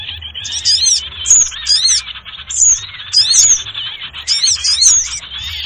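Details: Sirtu bird calls played as a lure for trapping, with repeated high sharp chevron notes in groups over a continuous twittering background of many small chirps.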